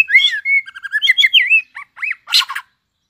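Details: White-rumped shama just coming into breeding condition, flicking its tail and singing a competing song: quick varied whistled phrases with rising and falling slurs, then a few harsh scratchy bursts near the end before silence.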